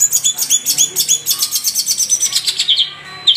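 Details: A Madura long-tailed shrike, in a training recording for cage birds, sings a fast, high chatter of scratchy notes, about six a second, then a thin sustained whistle and a few sharp closing notes.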